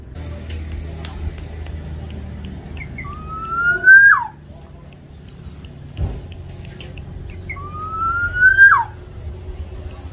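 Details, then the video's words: Local Javanese black-naped oriole singing vigorously: two long whistled notes, each sliding upward and ending in a sharp downward flick, about four seconds apart, with faint short notes before them, over a low steady rumble and a soft thud. "Kepodang lokal jawa gacor untuk pancingan supaya podang mu cepat bunyi"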